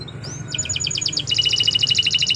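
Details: Canary song, a local Indonesian canary, recorded as a long, vigorous singing session for training other birds: a brief high rising note, then fast buzzy trills repeated in rapid pulses, shifting to a quicker, tighter rattle; low background rumble.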